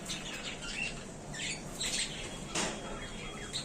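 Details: Budgerigars in a small new cage, said to be happy in their new home, give bright, scratchy chirps and short squawks in quick bursts, with soft fluttering and a low steady hum behind.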